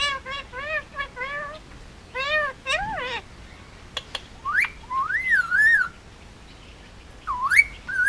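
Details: Almost two-year-old male Indian ringneck parakeet, hand-raised on Oahu, Hawaii: a run of nasal, harmonic rising notes in quick succession, a couple of clicks, then long undulating whistles rising and falling.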